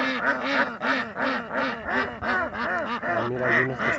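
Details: Several ducks in a natural setting quacking continuously in rapid, overlapping nasal bursts, close to three a second, forming a steady chattering chorus with no clear gaps.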